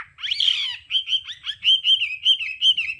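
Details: Hwamei in đảo âm singing, a voice-training recording: one strong swooping whistle, then a steady chain of rich, wavering whistled notes repeated about three times a second.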